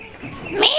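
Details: A pet talking rose-ringed parakeet gives a brief, harsh, speech-like phrase of mimicked speech, nasal and strengthening toward the end, over a faint background hum.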